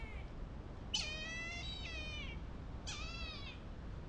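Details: A brahminy kite in a giant sanctuary enclosure at Aviary Park Indonesia, Bintaro, South Tangerang, gives two drawn-out, quavering, haunting mewing squeals that waver then slide downward, over a steady low rumble.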